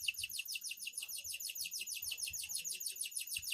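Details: Loper canary in energetic night song, repeating a quick high syllable in an unbroken, steady trill several times a second.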